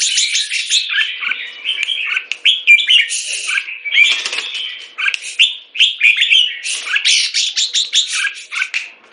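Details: A molting captive jambul raised in Singapore pours out a long, lively song of quick whistled and chirping notes. Short bursts follow one another almost without pause.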